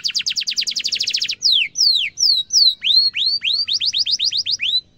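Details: Canary song recorded for training young and adult canaries; a fast high trill gives way to loud down-slurred whistles, then a run of rising upswept notes repeated several times per second.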